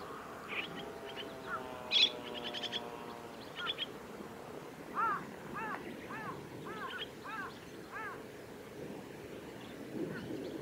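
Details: Chestnut-cheeked starlings at the Kitafuji training area, Japan, on 2 July 2017. A burst of harsh, buzzy harmonic notes comes first, then a series of short, arched, nasal calls roughly every half second over steady background hiss.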